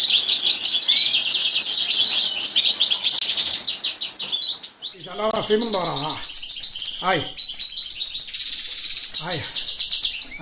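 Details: European goldfinch in a live training session delivers rapid, high twittering phrases with ringing trills and sharp chirps, while a man's voice speaks over the song in the middle and near the end.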